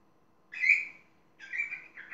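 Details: Parrot making two grating, nasal squawks about one second apart, the second sliding down and ending in a short extra note.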